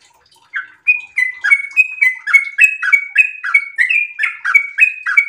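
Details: Sooty-headed bulbul in breeding condition giving a long, rapid ropel song: after a brief quiet start, a steady run of chirpy, slurred two-part notes, roughly four per second, with no other sounds.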